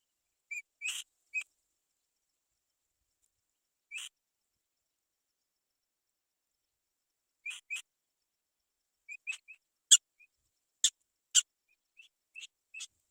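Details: Black-winged kite chicks waiting for their mother to go out and find food give short, thin, high squeaky calls in scattered bursts, growing sharper and louder toward the end. There are no other sounds.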